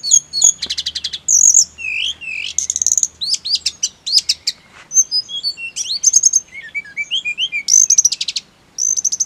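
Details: Snowy-browed flycatcher song played as therapy to get birds singing readily, high thin notes, fast buzzy trills and short whistled slurs in quick varied bursts, with brief pauses between phrases.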